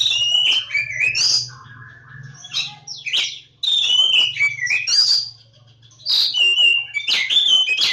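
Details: Oriental magpie-robin of the Javan form (Kacer Jawa) in loud song, with bursts of shrill whistles and rasping notes separated by quieter gaps, and a low mechanical hum underneath.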